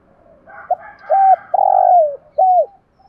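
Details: Cooing of a decoy spotted dove in the 'thổ' voice style, intended to make wild doves coo. A soft murmur leads into a loud phrase: a quick note, a clear level coo, a long rough descending coo and a shorter arched ending note.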